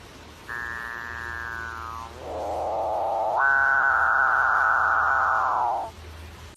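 A Capuchinbird gives one drawn-out, nasal moan of about five seconds. It starts with a falling tone, drops into a low grinding growl, then swells into a long, eerie, cow-like mooing note.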